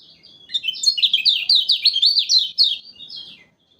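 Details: Lemon-bellied white-eye, the yellow kecial of Lombok, played to lure birds for trapping: one fast, loud run of sharp, high zigzag notes lasting about three seconds, fading out at the end.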